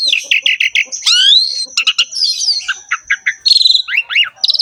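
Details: Vigorous Asian pied starling song full of varied phrases: quick repeated chirps, sweeping rising whistles, high buzzy trills and bright squeaky notes, a thin steady high tone behind.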